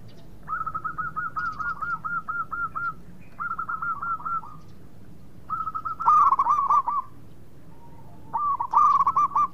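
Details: Song of a local zebra dove kept as a lure so rival birds respond fast: long strings of evenly spaced, purring coo notes in steady runs, later louder, rougher bubbling phrases.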